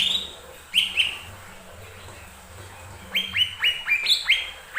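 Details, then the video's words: Lesser green leafbird song used as a lure to provoke other birds to sing: a short pair of downslurred whistled notes, a pause, then a quick run of six bright slurred notes near the end. "Pancingan burung cucak ijo mini"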